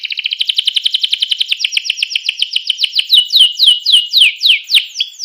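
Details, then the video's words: Loud canary song used to set other canaries singing: rapid repeated chirping trill gradually slowing into wide downswept whistled notes, about four per second, clean with no background. "suara kenari ini 99% jitu sekali membuat kenari lawan gacor"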